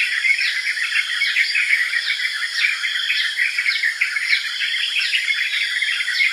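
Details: Yellow-vented bulbul calls: dense, busy chattering chirps with sharp downslurred whistled notes repeating about every half second, over a steady high insect-like whine throughout.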